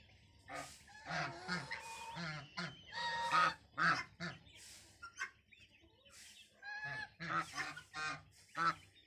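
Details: Playful goslings give short, sharp honks and squawks in quick uneven bursts, broken by a few brief pauses.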